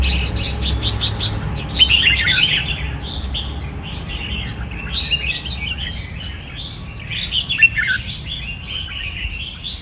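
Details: Red-whiskered bulbul kept in a cage: scattered rich chirps and warbled phrases, louder bursts near the start and middle, softer chatter in between, with faint clicks early on.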